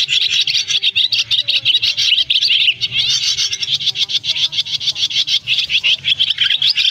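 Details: Continuous high twittering of swiftlets calling the flock in to roost, a lure for net trapping in August 2024. Many chirps and squeaky trills overlap in an unbroken chattering stream.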